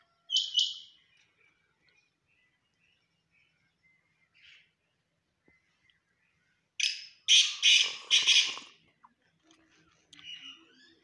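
Black francolin giving a short, harsh opening note, then after a pause a loud burst of three or four grating, rasping notes in quick succession.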